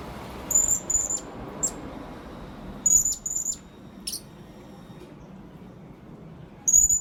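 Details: Calling blue-crowned hanging parrot, a recording for luring birds: shrill, piercing high notes in short bursts of one to three, with long gaps between, over faint constant rumbling background noise.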